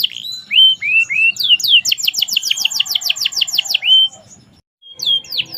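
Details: Merlok song from a canary in full voice: three low slurred whistles, a fast series of crisp high downslurred notes, a steady whistle, a short silence, then further sweeping notes.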